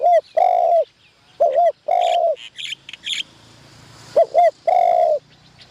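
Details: Caged decoy spotted dove during its first training in a trapping tent, used for luring wild doves: deep, even coos in short paired notes followed by long rolling notes, with brief higher chirps and clicks between phrases.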